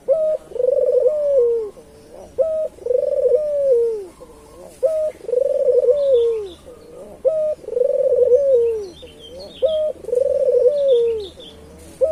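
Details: Vigorously calling local island collared dove used as a lure for wild doves: a steady series of five purring coos, each opened by a short sharp note, repeated about every two and a half seconds, with faint high chirps of small birds behind.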